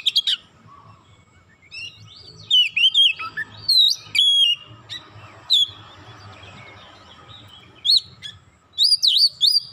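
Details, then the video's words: Oriental magpie-robin singing as bait to stir other magpie-robins: scattered loud whistled phrases with sharp pitch bends, separated by quieter gaps, ending with a quick cluster of high ringing notes. "100% gacor Kacer lain sekali pancing"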